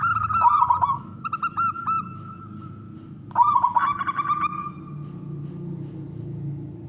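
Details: Male zebra dove from a local wild line singing to coax other doves: two phrases about three seconds apart, each a crackly burst then a series of short repeated coos that trail off.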